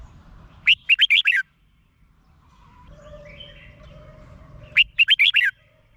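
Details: Song of a red-whiskered bulbul from Thailand, used to stir up caged birds: two bright, rollicking phrases of five or six fluty notes, about four seconds apart, with faint distant chirps between.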